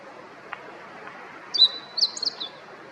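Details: Meadow Bunting, a familiar wild bird, delivering a short high song phrase of rapid chirps and slurred notes after a second and a half of near silence with faint clicks.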